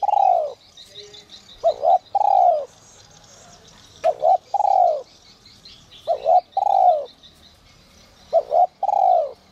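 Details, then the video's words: Spotted dove in the 'te te' whistle voice, used to rouse wild doves: the tail of one coo, then four repeated phrases, each a paired short note leading into a sustained downward-sliding coo. Light high bird chirps behind. "Chim cu gáy GIỌNG CÒI te te kích bổi cực sung, giọng nhạy bổi kích cu gáy bổi nhanh gáy"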